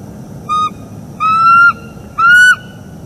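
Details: A bald eagle pair calling during morning mating at a northeast Florida nest, live cam, late October 2021; a short whistled note, then a longer level whistle that drifts upward, then a final arched whistle with rich overtones, low hum behind.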